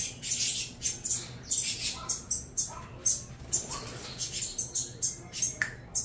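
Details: Crossbred saffron finch chicks beg while being fed: sharp, wheezy high squawks in irregular bursts, some with a short lower tonal note mixed in.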